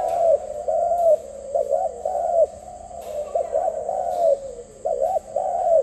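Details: Rapid rippling coos from a zebra dove, short notes in quick clusters with brief pauses between, mid-pitched and clear, backed by a continuous thin high whine.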